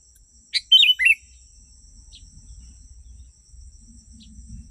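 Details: Sooty-headed bulbul sound for attracting wild birds: one brief bubbly phrase of a sharp chip and three falling liquid notes, followed by quiet, with a faint low rumble and a distant chirp.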